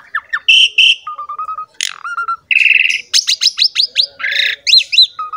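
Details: Asian pied starling, a champion-type singer, in a lure song for other birds: buzzy squawks, level whistle strings, a grating rattle and a run of rising, looping whistled chirps.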